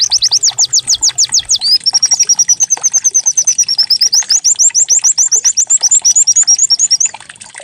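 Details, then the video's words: Caged white-eye song used as a decoy to make other white-eyes sing: rapid series of high, sharp descending whistled notes, then a long fast trill of thin chirps, continuous and loud throughout. "Pancingan pleci agar cepat buka paruh"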